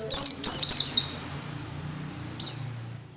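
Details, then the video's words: Masteran training song for young orange-headed thrushes, to make them sing soon and freely: a quick run of three high descending whistled notes, then a long gap and one more downslurred note, over faint low background hum. "SUARA MASTERAN BIKIN PELECI BAHAN CEPAT BUNYI DAN GACOR"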